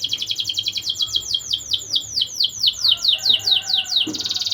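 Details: Young canary chirping song intended to raise breeding urge: a steady run of descending whistled sweeps, about three per second, ending in a quick buzzy trill.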